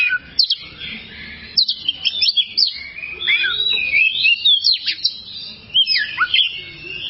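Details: Oriental magpie-robin song used as a tutor recording for caged birds that sing poorly. The song is a fast, varied run of sharp whistled notes, rising and falling slurs, and scratchy phrases, broken by brief pauses, with a faint low hum beneath.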